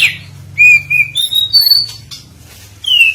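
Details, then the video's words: Oriental magpie-robin (kacer) used as a lure to provoke singing: a few separate clear whistled notes, one flat and one slightly rising, then a falling whistle after a pause, over a low background hum. "Pancingan Suara Burung Kacer"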